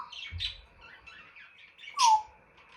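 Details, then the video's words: African grey parrot kept as a pet giving raspy squawky notes, then a loud whistled note sliding downward. "Jarvis the African Grey and his funny sounds"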